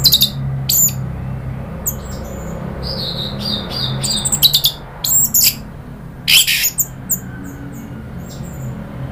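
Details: Orange-headed thrush in a provoking lure: scattered short high chips and whistled fragments, irregularly spaced, over a noticeable low hum.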